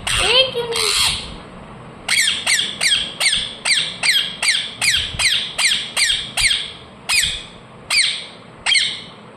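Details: Talking ring-necked parakeet gives a short, wavering voice-like note, then a steady series of about seventeen sharp descending chirps, roughly two per second, slowing toward the end.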